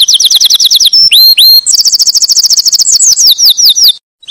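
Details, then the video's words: Canary singing quick repeated trills, two looping whistled notes, then a long rapid rattle and rising chirps before a brief pause. "Chant canaris magnifique"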